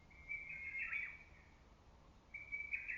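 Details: Early-summer lesser cuckoo among trees: one rapid run of sharp notes, then a second phrase beginning after a pause, over quiet low background hiss.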